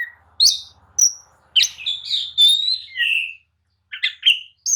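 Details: Oriental magpie-robin singing agitatedly to draw rivals into answering and fighting: sharp chirps, then long clear whistled notes and a falling phrase, with a faint low hum at the start.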